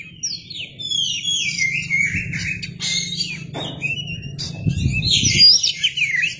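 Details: Oriental magpie-robin performing with its tail opened, a lure song: continuous high warbling with swooping whistled slurs and quick trills, broken by short clicks and low thumps in the background.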